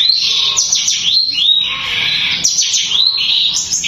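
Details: A long-tailed shrike pours out a rapid, dense run of high, scratchy chatter and sweeping whistled notes, nearly unbroken; this fast, tightly packed song is said to provoke other shrikes and stir them into breeding condition.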